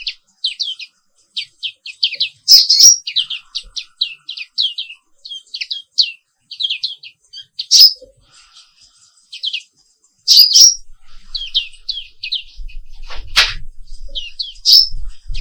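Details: Long rolling morning song of a black-capped white-eye, Indonesia's Papua pleci 'wiklus': steady rapid high chirps, occasional loud sharp notes, and faint low bumps near the end.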